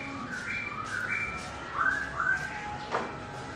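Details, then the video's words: Black-throated laughingthrush singing while its owner is away, 2017: soft, melodious whistled phrases, some held level and some sliding, over a steady hiss with one sharp click near the end. "Bird Garrulax chinensis: Birdsong Chirping Melodious When The Owner Is Away"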